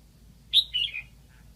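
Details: Red-whiskered bulbul decoy from Lạng Sơn, singing to draw wild birds, delivers one loud three-part whistled phrase that starts high and steps downward in slurred notes.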